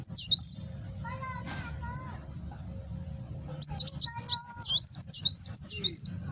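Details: Kolibri wulung, the Van Hasselt's sunbird, in nembak song recorded on a phone in Gresik, East Java: a short high chirp, a pause with faint lower warbling, then a long energetic series of shrill, swooping whistles.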